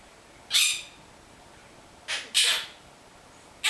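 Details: A monk parakeet kept as a pet utters brief, raspy, high word-like bursts: one lone syllable, then a quick pair after a pause. It is said to say its name and words like amore and bacio. The room is otherwise quiet.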